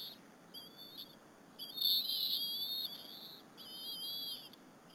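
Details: Bald eagle nestlings at Berry College feeding on squirrel with the mother, afternoon, April 30, 2015, nest camera. Piercing whistled calls, a short one, then a long loud wavering whistle, then another drawn-out phrase, over faint hiss.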